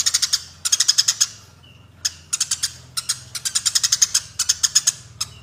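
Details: Eurasian tree sparrows in a fight, giving clusters of sharp, high chirps in quick uneven groups over a low steady hum, with occasional single notes.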